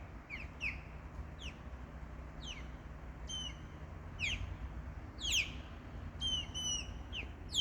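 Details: Osprey in summertime, calling to protect its nest: a loose series of short, sharp downslurred whistled chirps at irregular intervals, with a few level piping notes, over a steady low background rumble.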